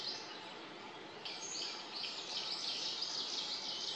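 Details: Arctic warbler singing unseen in forest trees on 29 May 2022: a fast, even trill of short high buzzy notes starts midway and runs to the end. Other bird notes and steady forest background noise.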